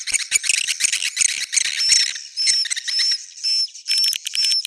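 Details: Edible-nest swiftlet roosting call used to draw swiftlets in: a jumble of rapid clicks and scratchy chirps giving way to repeated short, clear high whistles over buzzy twittering.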